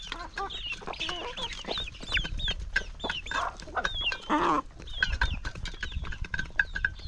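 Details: Chickens in a flock peck and cluck excitedly during morning feeding on a farm. Dense overlapping clucks and short high squeaks run without pause, with a harsh drawn-out squawk around the middle.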